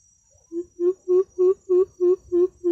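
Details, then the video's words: Greater coucal call played through a speaker as a trapping lure gives a steady run of eight deep, hollow hoots, about three per second, over a faint high electronic whine. "Hướng dẫn cách chuyển File tiếng và điều chỉnh loa để bẫy những con bìm bịp tinh khôn nhất"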